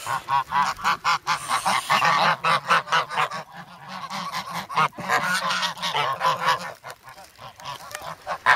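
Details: Grown domestic geese, formerly goslings, noisy and hungry in snow at Sloterpark, Amsterdam, on February 3, begging for bread; recorded on a Sanyo SH1 camera. Rapid harsh nasal honks from several birds, overlapping in bursts roughly twice a second.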